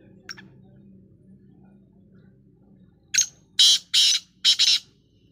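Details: While dust bathing, a black francolin utters a grating, rhythmic phrase: a thin click then four loud rasping bursts in about one and a half seconds, after a faint note and low background hum.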